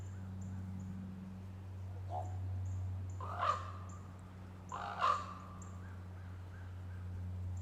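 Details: A Common Raven mobbed and chased by two Cooper's hawks over a small woodlot, 11 March 2023, gives two hoarse, hollow croaks about a second and a half apart, after a softer croak, over a steady low rumble.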